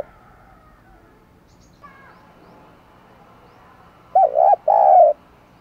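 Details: Spotted dove decoy cooing to draw in wild doves: near silence for four seconds, then one low, soft phrase of two hollow coos, the second longer and steady.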